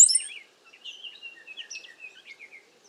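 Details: Cowbirds, a bunch of birds sheltering in a safe place during bad weather and strong wind: one loud sharp high chirp at the start, then a run of soft, thin twittering whistles.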